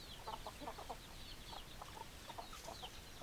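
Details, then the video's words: Hens clucking in a farmyard: short, soft, low clucks scattered irregularly through the clip, several per second at times, over a steady background hiss with faint high chirps from small birds. "Chicken Sounds Noises Hens Clucking Roosters Crowing"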